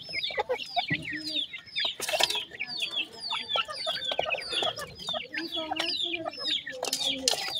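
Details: Grey francolin chicks, called teetar, giving repeated thin, high, hooked peeps in quick uneven sequence, with brief bursts of scratchy rustling around them.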